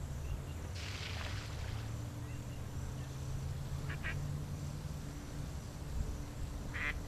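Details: A male and female Australian shelduck pair in Perth, Western Australia: three harsh, nasal honking calls a few seconds apart, over a steady low rumble of wind or distant noise.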